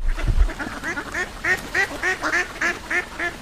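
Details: Duck quacking in a steady series, about three to four nasal quacks per second, each short and harsh, with a brief low thump near the start.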